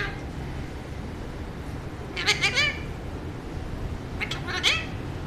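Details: A male talking Alexandrine parakeet gives two short bursts of raspy, speech-like chatter about two seconds apart, each about half a second long, over a steady background hiss.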